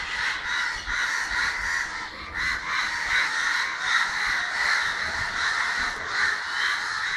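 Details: Many crows cawing together in Kerala, December 2012: coarse, grating calls piled on one another in an unbroken, noisy chorus.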